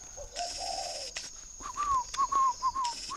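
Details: Spotted dove from a bird garden in Ba Vì, Hanoi, northern Vietnam: a low hoarse coo, then a run of five short bouncy higher notes, with noise bursts and a faint steady whine throughout.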